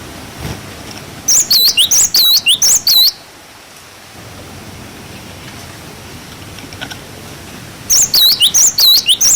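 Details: Tutor recording of a cinereous tit for young birds: a quick burst of high, clear slurred whistles, a long quiet gap with faint hiss, then another similar burst near the end.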